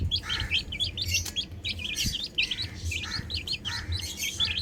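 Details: Chicks playing on a roof peep rapidly in high, bouncing notes, many birds overlapping, with an occasional click and a low hum behind.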